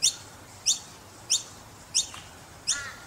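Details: Noisy Miner babies in Brisbane, Australia: thin, high chirps in short bursts, repeated about every 0.65 seconds with steady rhythm; five calls in three seconds over faint background hiss.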